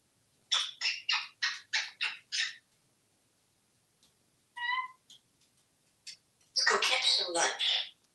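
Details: Pet male African grey parrot, hatched 1997, living indoors in a Texas home, vocalizing: six quick rasping syllables, then a clear whistled note with stacked overtones, then a long harsh burst. Quiet room, no other sounds.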